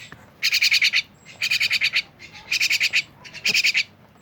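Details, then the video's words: Myna calling in four evenly spaced rasping bursts, each a quick run of about six buzzy, scratchy pulses, separated by roughly half-second gaps. "rame bersama burung jalak"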